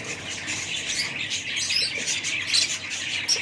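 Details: Budgerigars in a group chatter nonstop, a dense high warble of twittering, chirping and scratchy squawky notes from many birds at once, with a few brighter whistled peaks standing out.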